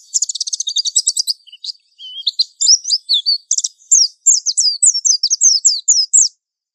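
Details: Mountain white-eye lure song used for young birds: a fast stuttering rattle of high clicks, a few lower whistles, then a steady run of sharp, downslurred chirps.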